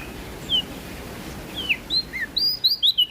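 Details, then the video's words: Prinia from NTB, Indonesia: a few thin, spaced high whistles over steady hiss, building at the end into a quick series of bright, sharp chirps. "PRENJAK DAUN NTB Gacor Ngeplong Suara Merdu"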